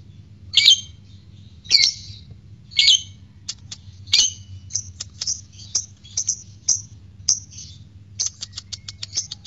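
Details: Lovebird sounds used to lure caged lovebirds into singing: three harsh screechy chirps, then a faster run of short sharp ticks and chirps. A low hum runs underneath.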